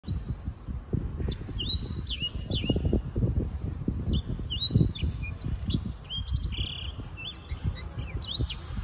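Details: A six-month-old young Black-throated Canary (Crithagra atrogularis) sings a fast, rambling string of high, varied chirps and slurred whistles over a steady low rumble of wind.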